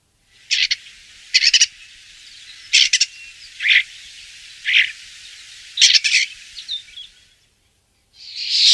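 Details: Common starling, said to live in flocks and to raid crops, uttering scattered short scratchy chirps and clicks spaced about a second apart over a faint steady hiss, with a louder rasping burst at the end.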